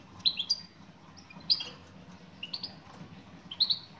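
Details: Female European goldfinch calling toward a male, giving clipped high tweets in small clusters about once a second, separated by quiet gaps over a steady low background hum.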